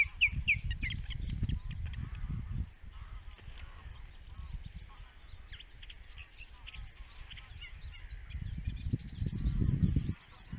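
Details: Male osprey, an attentive father at a webcam-watched nest in the Netherlands, gives a quick run of bright, sharp chirps in the opening second, then fainter scattered chirps continue beneath heavy rumbling wind that surges at the start and end.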